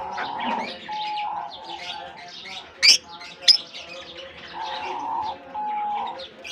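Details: Summer release of lovebirds into a German colony aviary: overlapping bright chirps from many birds, two sharp loud clicks in the middle, and longer steady whistled notes near the start and end.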